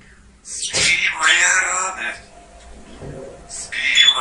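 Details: Pet parrot singing a song on request while its owner praises it in Russian; harsh, voice-like sung phrases rich in high overtones open the recording and return at the end, separated by a quieter stretch.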